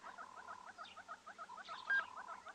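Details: Hornbills at sunrise on 17 July 2020 in Tswalu Kalahari Game Reserve, South Africa, give a fast, even series of hollow clucking notes, about six a second, likened to "what up what up", over a faint background of other birds.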